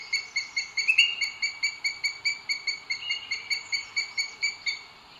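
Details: At a webcammed nest in Spain's Sierra de Guadarrama park, 2 June 2022, a booted eagle calls while the male delivers food to the female: a steady run of high, sharp notes, roughly two to three each second.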